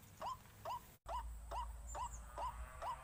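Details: Short rising notes from a white-breasted waterhen, repeated a little over twice a second, broken by a brief gap, with a low hum in the background.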